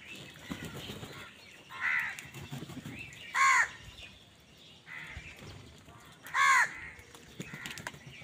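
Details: Angry crows squabbling with other wild birds over food, giving loud harsh caws about every three seconds, softer hoarse caws in between, with faint high chirping and rustling in the background.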